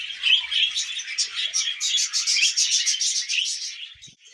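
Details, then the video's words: A happy pet budgerigar's chatter: rapid, buzzy warbled notes pulsing in quick succession, roughly three or four per second, fading out at the end. "Happy Budgie Sounds"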